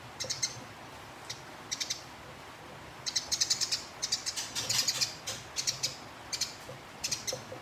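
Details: Sparrow singing in fighting style for a contest-bird training recording: scattered high chirps that build into a dense rolling burst midway, then spaced repeated notes, over low background hum.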